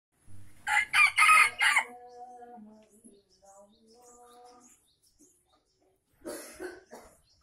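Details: An Aceh junglefowl used as a decoy gives a harsh, hoarse crow, then a run of softer, tonal clucking notes, and ends with a second brief, rasping crow.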